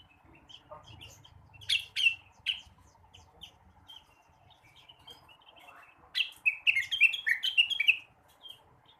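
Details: Morning song of a blue-winged leafbird: sparse sharp chips and high notes at first, then a dense burst of quick, jumbled whistled phrases near the end, with faint low background rumble.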